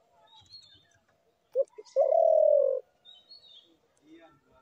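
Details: Against faint background twittering, a spotted dove gives two or three short clipped notes and then a long, mellow, level coo of about a second.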